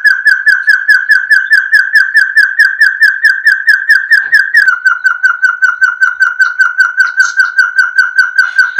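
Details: A hill partridge, known locally for its barking call, gives a fast, steady run of clear mid-pitched whistles, several a second, dropping slightly in pitch partway through; no other sounds.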